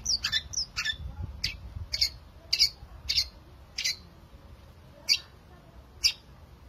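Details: Long-tailed shrike singing in an authentic recording meant to get quiet shrikes going: high harsh chips, bunched early then spaced about a second apart, over a low rumbling background.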